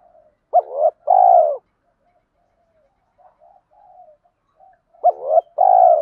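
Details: Male and female spotted dove cooing used for stimulating captive doves. Two matching phrases about four seconds apart, each a short double note before a long vibrating downward coo, with quiet murmurs between.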